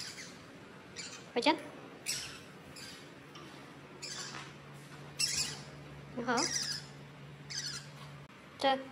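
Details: Pet Pacific parrotlet, 73 days in, newly able to say "go home" (回家), gives several short squawky, speech-like utterances and chirps spread through the clip, with a faint steady hum in the background indoors.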